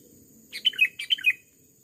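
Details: Wild male Sooty-headed Bulbul, aggressive toward a decoy bird in overgrown rubber-plantation scrub, gives two rapid bubbly phrases back to back, each a cluster of liquid notes slurring downward, over a faint steady insect hum.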